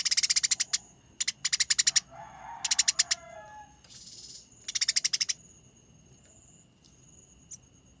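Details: Fighting Eurasian tree sparrow with a dense, rolling, clear-voiced chatter: repeated bursts of rapid, harsh, high chirps mixed with lower, softer notes and a short noisy hiss, then faint thin whistles.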